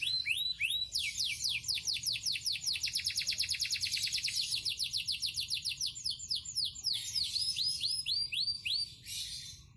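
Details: Champion yellow canary singing vigorously: quick high swept notes open into a long, rapid, rhythmic trill of repeated chips, then slower separate sweeping phrases before fading.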